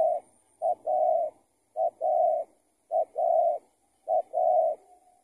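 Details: Loose tethered spotted dove calling while a trapper lures it with a decoy; four or five low hollow phrases, each a clipped coo then a longer steady one, repeated at an even rhythm.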